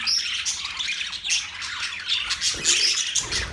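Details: Many birds calling together, recorded October 3, 2023: busy, overlapping high chirps mixed with harsher squawks, steady throughout, with a few brief lower-pitched sounds near the end.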